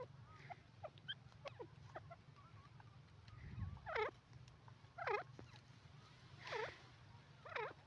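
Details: Grey francolin, called Sindhi teetar, calling: loud harsh looping notes in short bursts about once a second in the second half, with faint scattered chirps earlier and a steady low hum throughout.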